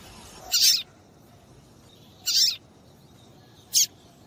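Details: Female papa-capim (Double-collared Seedeater) piping to stir males to sing: three thin, high chirps, the first two slightly longer, separated by pauses of over a second.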